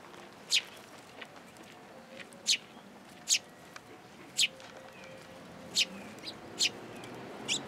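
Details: Sparrows at a shrine, coming to a fence post to be fed, recorded 9 April 2023: single sharp, high chirps spaced about a second apart over a steady background hiss.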